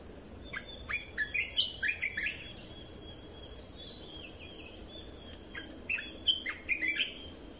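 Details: Red-whiskered bulbul singing for training young birds and rousing caged birds: a rapid string of sweet, slurred whistled notes, a quiet gap, then another short burst of the same bright warbling phrase.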